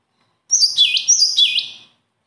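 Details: Two bright, looping bird phrases follow closely. Each starts as a high whistle, swoops down and curls back up, and together they last about a second and a half in a silent setting.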